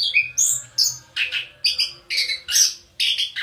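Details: Orange-headed thrush, a house-kept songbird, singing a rapid varied sequence of short squeaky and whistled phrases, many dropping in pitch, delivered in quick bursts about every third of a second with brief gaps.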